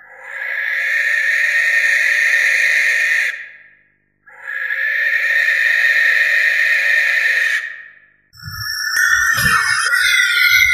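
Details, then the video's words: Barn owl (Tyto alba) giving two long, harsh, hissing screeches, each over three seconds, with a short pause between; a brief jumble of other sound follows at the end. "Barn Owl Song! Barn Owl Call! Barn Owl Sound!"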